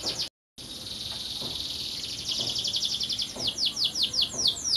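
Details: Canary delivering a buzzy rapid trill that builds in volume, then slower descending whistled sweeps, after a short dropout at the start.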